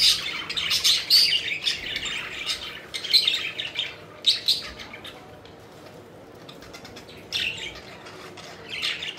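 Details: Pet budgerigars at play, lively chirping and squawking bursts in the first half, then quieter with a few scattered chirps later.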